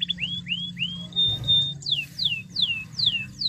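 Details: Canary song played to provoke a quiet canary: three rising whistled sweeps, a sustained pure tone, then a series of loud descending slurred notes roughly every half second.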